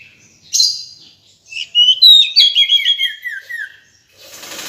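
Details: Female decu bird giving a call: a sharp opening chirp, then a tumbling series of high whistles that slide lower in steps. A hissing rustle follows at the end.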